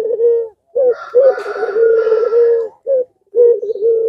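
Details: Puter pelung (Barbary dove) rousing rivals to call. Steady low coos and a rolling phrase, partly overlaid by a harsh, noisy sound in the middle.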